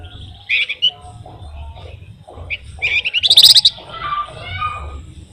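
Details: Flamboyan in full, chatty song meant to lure other songbirds. Short bright chirps come first, then a louder run of rapid repeated notes that rolls into a buzzy trill, with softer twitters after.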